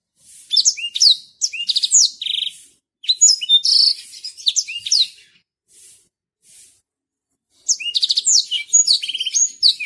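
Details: A Botswana black-throated canary sings a slow song of high, sweet phrases, with quick trills and slurred whistles in bursts of a second or two separated by brief pauses.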